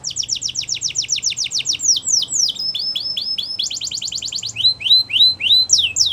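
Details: Singing canaries in the wild deliver a quick roll of downward-slurred notes, then drawn-out slurs, another fast roll, and a string of rising, swooping whistles.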